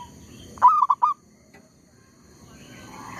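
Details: Zebra dove used as a decoy to lure wild birds during trapping, unbothered by a tree squirrel nearby: one quick burst of four short, clipped mid-pitched coos, then quiet background with faint hiss.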